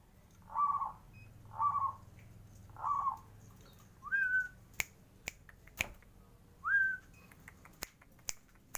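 Zebra dove giving soft, trilled cooing notes, three evenly spaced and then two rising ones, with sharp clicks or finger snaps between them.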